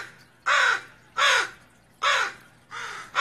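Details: Rough, drawn-out caws from a Northwestern crow alarmed by a raccoon, four to five calls each lasting about a third of a second, repeated at steady short intervals.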